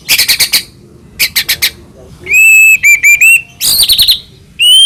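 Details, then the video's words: Murai batu (white-rumped shama) from Medan singing as a lure for other shamas: quick clusters of sharp ticking notes, then long pure whistles, a short rolling trill and further bright whistled phrases. "murai batu gacor AMPUH buat PANCINGAN murai batu agar bunyi"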